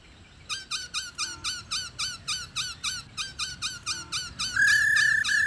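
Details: Female black-throated laughingthrush rattling out short, bent chirps about four times a second, then breaking into a sustained bright note. The call is meant to excite males into singing.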